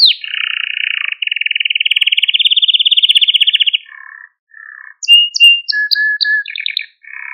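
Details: Malta canary singing for canary training: a long, steady, rapidly pulsed rattle that slowly rises, then low buzzy phrases, brief level whistles and short high notes.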